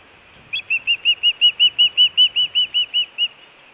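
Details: Osprey at a Montana nest camera (Hellgate), 24 June 2017, food or alert calling. A rising lead note, then about fourteen steady, slightly slurred whistled chirps at a brisk, regular pace over light background noise.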